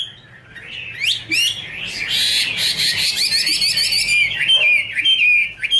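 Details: A female Chinese hwamei sings a rich, fast run of rising slurred whistles and rapid trills, high and varied, with a male singing more softly behind as backing.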